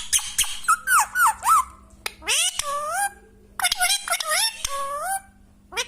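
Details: Pet parrot talking, playful and having fun: short squeaky whistled syllables in a quick run, then longer speech-like phrases with rising and falling tones, spoken in bursts with brief pauses, indoors.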